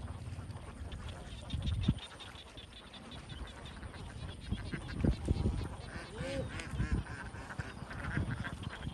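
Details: Young domestic ducks massed in a big flock on a Vietnamese farm, a constant babble of nasal quacks with louder harsh bursts around two and five seconds and a short rising-falling honk-like call after six seconds.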